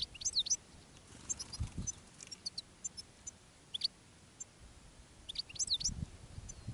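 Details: European goldfinches in the countryside, where a decoy male and a female in a rockrose bush lure wild birds. High, bright, chattering twitters are repeated in bursts over faint low thumps and background noise.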